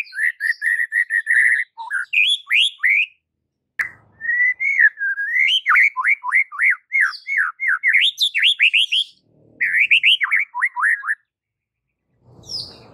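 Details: Masteran training song of the white-rumped shama: repeated level whistles, then long runs of swooping, looping whistled notes, with brief gaps and a soft rustle at the end.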